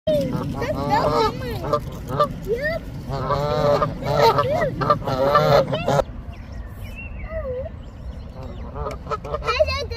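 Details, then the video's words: Canada geese honking from a flock, dense overlapping nasal honks with rising and falling inflections for about six seconds, then quieter scattered calls over a steady low rumble. "Canada Geese honking"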